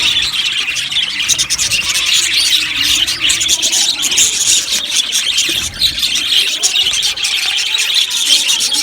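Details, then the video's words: Aviary flock of budgerigars producing continuous shrill chatter, with rapid chirps, squawks and twittering notes piling up from many birds at once. "Amazing Budgies chirping sounds | Budgies parakeets sounds"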